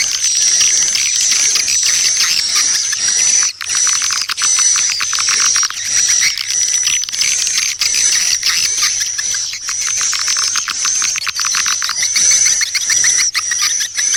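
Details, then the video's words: Swiftlet lure call, dawn attack type: rapid high chirps packed into dense bursts with brief dips in loudness, plus a continuous thin high whistle over the chatter. "SUARA PANGGIL WALET - SERANGAN FAJAR"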